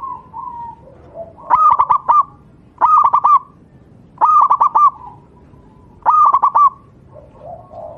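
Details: Wild local zebra dove of Java singing as a tutor song for caged doves: four quick phrases about every 1.5 seconds, each a run of stuttered, clipped cooing notes, with soft low coos between.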